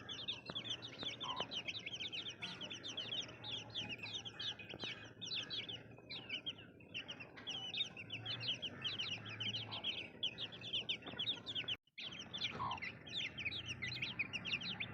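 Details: A large group of baby chicks keeps up a busy stream of thin, descending chirps, broken by a brief moment of silence before the chorus resumes.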